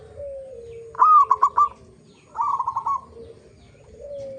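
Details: Local zebra dove song used as a lure to set other zebra doves singing: two bright rattling cooing phrases of quick stuttered notes, each about three-quarters of a second, with soft low drawn-out coos between them.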